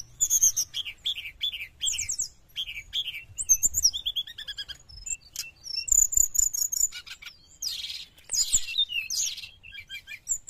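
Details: Sooty-headed bulbul singing continuously as a lure for wild birds: quick series of high downslurred chirps, bright whistles and scratchy trills, delivered in tight bursts with brief pauses.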